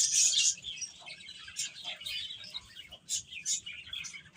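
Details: Young chickens at food and play: a loud burst of shrill peeping at the start, then scattered single high chirps every fraction of a second.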